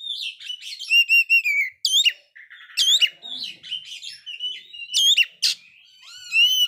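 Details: A kacer, the Oriental magpie-robin, singing nonstop despite a failed moult, played to provoke sulking birds: rapid chain of loud rising and falling whistles, buzzy chatter between, barely any gaps.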